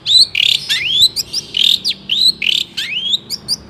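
A Long-tailed shrike sings a fast, varied run of rising whistled sweeps mixed with harsh chattering notes, several phrases a second, with no other sounds.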